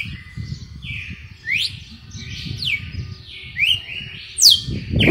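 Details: Red-cowled cardinal, a kept male-type singer, delivering its 'açoite selvagem' song style: clear whistled phrases, each a steady note followed by a sharp rising sweep, repeated about every second, over low rumbling background noise.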